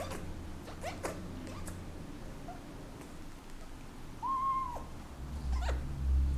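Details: Senegal parrot kept as a pet, in breeding season, wooing its owner's hand: a few quick chirps, a pause, then one clear arched whistle, with low hum and handling noise.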